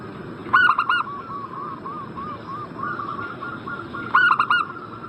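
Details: Zebra dove cooing to make a bird in breeding condition reply: two loud four-note phrases about three and a half seconds apart, separated by a run of softer, more distant cooing.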